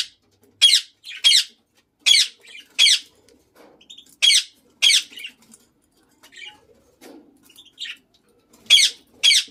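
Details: A lutino Indian ringneck (rose-ringed parakeet) gives loud, harsh, high screeches in pairs, about every second or two, with soft chattering between them indoors.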